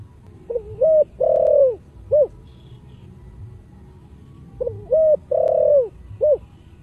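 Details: Spotted dove with thunder-like earthy voice giving its cooing song twice: quick rising notes, a loud long hollow coo, then a short final note, phrases about four seconds apart with quiet gaps.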